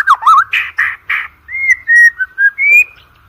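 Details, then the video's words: Murai batu song, a white-rumped shama lure for contest birds: a few rough, buzzy harsh notes followed by long, clean, level whistles and a final high, rising whistle. "OCEHAN MURAI BATU PALING EDAN, COCOK UNTUK PANCINGAN MURAI BATU UNTUK LOMBA"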